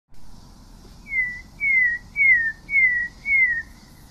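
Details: Pale-breasted thrush song: five clear whistled notes, each sliding slightly downward, given in a steady series about every 0.6 seconds over a faint low background hum.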